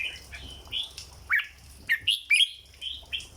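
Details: Red-whiskered bulbul kept as a cage bird, singing 'dok' style song: short, loud, sharply rising whistled phrases separated by brief pauses, clear and bright over a faint low hum.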